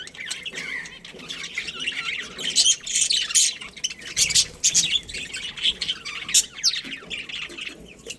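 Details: Budgerigar breeding colony chirping: dense, high, scratchy twitters and squawks from many birds overlapping, with short whistled notes among the chatter.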